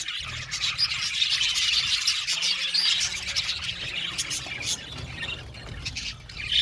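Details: Many budgerigars keep up a constant high chattering, quick chirps and squeaky twitters overlapping, with a steady low background rumble beneath.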